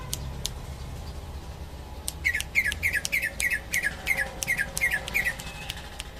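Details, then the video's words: Greater green leafbird from Indonesia, a champion songbird, delivering a fast run of about ten clipped, slurred whistled notes in quick succession, preceded by a couple of sharp clicks. "Cucak ijo juara"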